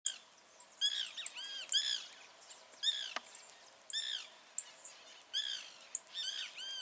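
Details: Wild blue-black grassquit singing in nature: short, sharp, very high notes repeat roughly every half second to second, mixed with many lower arched, ringing chirps from other birds in a busy chorus.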